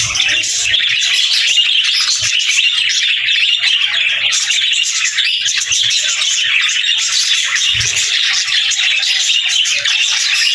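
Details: Loud, dense budgie chatter with sharp squawks and rapid high chirps layered over one another for the whole stretch, plus a few faint low knocks.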